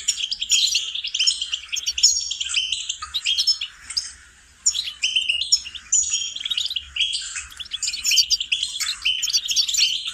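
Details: Goldfinch song for training songbirds, long stretches of quick tinkling, twittering and buzzy phrases, with one short lull midway.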